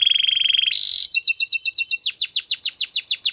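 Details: Domestic canary singing: a rolled trill slides into a brief buzzy burst, then evenly paced paired notes, then a run of quick descending slurred chirps.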